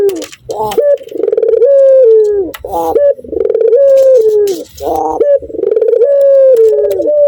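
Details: Breeding male Barbary dove cooing at a female: repeated phrases of a short rising note followed by a long, slightly wavering tone that dips at the end, about every two seconds, with faint clicks.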